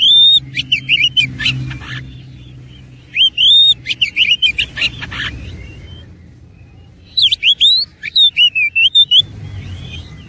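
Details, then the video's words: Kacer, the oriental magpie-robin, in persistent fighting-style 'gacor tarung' song rich with 'isian' phrases: clusters of loud, sharp rising whistles and chirps in quick runs, separated by pauses of a second or more, over a faint low rumble. "KACER ISIAN MEWAH NGOTOT GACOR TARUNG"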